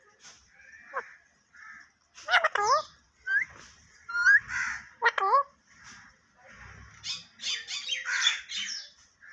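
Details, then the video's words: Parrot talking: a jumble of short voiced, speech-like syllables with bending harmonic notes, a few upward-swooping chirps and a raspy burst near the end, delivered indoors. "Tota Boltay Huay Kesa Lag Raha Hai _Totay Ke Awaz"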